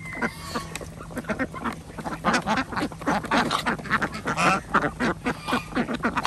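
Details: A flock of farm ducks at feeding time on a village farm in Andhra Pradesh, with chickens and geese also present; a noisy, continuous stream of raspy quacks rising and falling in loudness above a low drone.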